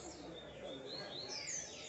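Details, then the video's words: A double-collared seedeater (coleiro) sings its 'ponto 50' song with high, clear whistled notes and quick rising and falling slurs over a soft background hiss, while its female is nearby and goes to the nest. "Coleiro PONTO 50 na puxada perfeita"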